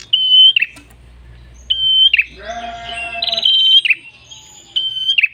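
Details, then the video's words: Red-headed prenjak (ashy tailorbird) singing a gacor ngalun-style song used as masteran to lure birds: steady high whistled notes, each ending in a buzzy downward flick, with a lower harmonic-rich call in the middle. "PRENJAK KEPALA MERAH GACOR SUARA NGALUN ENAK COCOK UNTUK PIKAT/PANCINGAN BURUNG ANDA"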